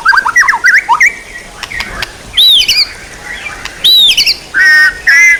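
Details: Songbird training material: varied song of short rapid whistled notes near the start, then loud clear downslurred whistles and a few harmonic, nasal buzzy notes, separated by short pauses.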